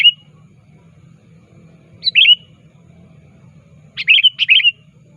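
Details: Kutilang, or sooty-headed bulbul, calling to challenge a rival, used to lure birds: a single clipped note, then a two-part chirp, then a rapid pair of bright bubbly phrases, low hum beneath.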